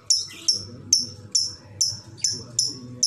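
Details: Lovebird in ngekek, the long chatter song: loud, clipped high notes struck roughly twice a second, each trailing off quickly, against low background rumble.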